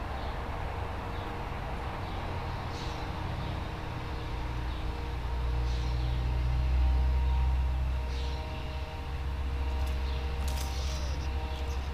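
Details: Steady low engine rumble from passing traffic, with only a few faint, brief high ticks and no clear animal voice.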